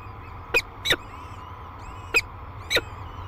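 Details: Peregrine falcon at its cliff-face nest near La Crescent, Minnesota, above the Mississippi River, on the day the first and second chicks hatched; four short, harsh calls in two spaced pairs over a steady low background hum.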